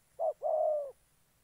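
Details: Spotted dove serving as a trapping decoy in Gia Lai, Vietnam, uttering a single phrase: a quick short coo then a longer, smooth, gently falling coo.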